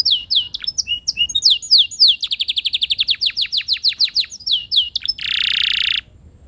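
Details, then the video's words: Canary song, loud and continuous: quick falling whistled notes give way to a long rapid trill of repeated strokes, then a dense buzzy roll for about a second before stopping. "Relaxing melodious bird sounds"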